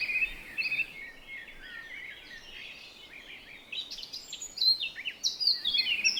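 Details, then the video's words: Relaxing bird chirping: a steady stream of quick, high twitters and short trills that grows busier and louder after the fourth second, with several overlapping chirps against a faint hiss. "chirping sounds of birds"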